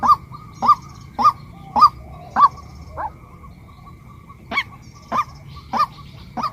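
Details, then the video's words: Female white-breasted waterhen repeating short nasal notes at a half-second pace, pausing for about a second and a half midway, then resuming the same steady series. "เสียงนกกวักตัวเมีย เสียงนกไก่นาตัวเมีย เสียงนกกวัก"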